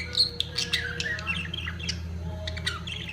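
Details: Mating budgerigars give a short burst of chattering, with bright chirps, rising squeaks and a few harsh squawks crowding together above a steady low hum.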